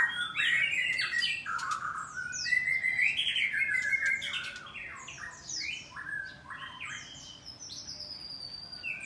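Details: White-rumped shama song from a breeding farm in Bogor, Indonesia, heard in the morning at the cages: dense, rapid, varied phrases of squeaky whistles, chirps and harsh squawky notes, with several birds overlapping almost continuously.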